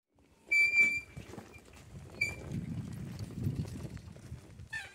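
A chukar partridge gives two short, squeaky, high-pitched call notes about one and a half seconds apart, with a further harsher note at the end over low rumbling background noise.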